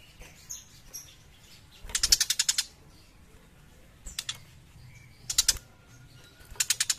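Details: Young tiger shrike singing actively, four bursts of rapid, harsh, scratchy notes repeated in quick series, each burst about half a second long, with quiet pauses between and faint background chirps.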